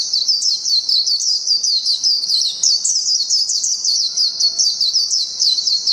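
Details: Continuous shrill, tumbling chatter of a Japanese white-eye in long ngalas song, quick high notes pouring out steadily throughout.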